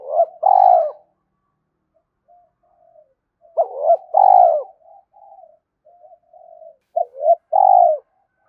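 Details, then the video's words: Spotted dove cooing, described as a fast-calling bird; three grouped phrases of low, mellow coos, each a short double note followed by a longer drawn-out coo, repeated about every three and a half seconds, with soft quieter coos between. "cu gay kich boi nhanh noi gù mới nhất"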